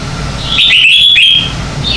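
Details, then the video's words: Red-whiskered bulbul giving bright morning contest song for bird training. It is one loud, continuous phrase of fast, liquid whistled notes that twist up and down. Faint hum lies beneath. "Luyện Chào Mào hót sáng hay nhất - To - Rõ - Vang"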